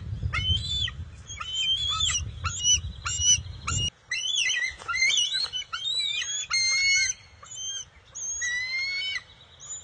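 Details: Young bald eagle, June 22, 2021, loudly greeting an adult that brings the day's first catch of fish: rapid strings of piercing, squeaky chirps and rising whistled squeals, repeated with short gaps, some low rumbling at first.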